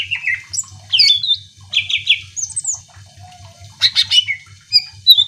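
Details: Greater green leafbird singing varied whistled phrases, trills and sharp chirps, a recording used to provoke other birds into singing; a pulsing low hum runs beneath.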